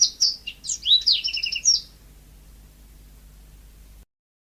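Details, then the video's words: Single short yellow-fronted canary phrase from natural, lively singing: sweet high whistles ending in a rapid trill, followed by low background hum. "Kicau burung mozambik gacor alami"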